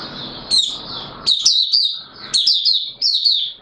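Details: White-eye (Mata Puteh Raja), caged, singing its opening song before reaching full condition: high sweet twittering phrases with sharp starting notes, over a steady low background hiss.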